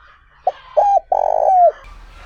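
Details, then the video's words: Spotted dove in the smooth, pure 'trơn ròng' voice used as a lure for wild doves, giving one clear phrase: a short opening note, a paired note, and a long buzzy coo that ends in a falling whistle. "Tiếng Chim Cu Gáy Kích Bổi Hiệu Quả | Giọng Trơn Ròng"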